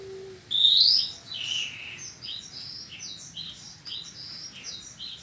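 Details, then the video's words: Horsfield's bushlark training song compilation from 2022, meant to make caged bushlarks sing persistently: a brief low steady tone, then a loud rising whistle followed by dense, rapid high chirps and short buzzy notes. "Kumpulan masteran burung branjangan terbaru tahun 2022, dijamin branjangan anda akan gacor"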